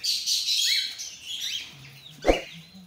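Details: Cockatiel mutations chirping in a busy high chatter, then a sharp knock and a faint low hum near the end.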